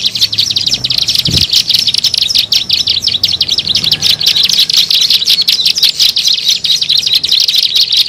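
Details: Bar-winged prinia call played to lure birds: rapid, insistent high chattering repeated without break, loud throughout, with a brief low thump early on.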